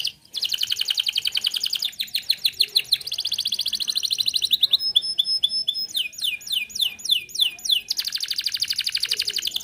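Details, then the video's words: Varied 'gacor' canary song used to stimulate untrained or silent birds: extended rapid trills, then steady piercing high tones, a run of sweeping slurred notes, and a closing fast rattle. "Kenari gacor cocok pancing burung bahan & macet bunyi"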